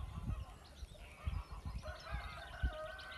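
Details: West of England geese honk together in the 6am dawn chorus at a farm, with nasal, overlapping honks and cackles; low rumbling wind or handling noise runs underneath.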